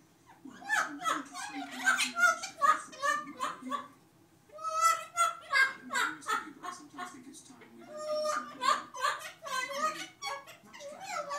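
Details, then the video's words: Two parrots, one out of view, giving humanlike giggling laughter: rhythmic trains of short breathy 'heh' pulses, about two or three per second, in three bouts split by brief silences. "Parrots Laughing"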